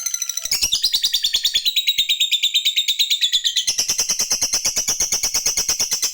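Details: Lovebird fighter giving a long 'ngekek' chatter to call a rival: a continuous rapid run of high, shrill chirps, about three per second, steady and unbroken throughout, with slight shifts in pitch partway.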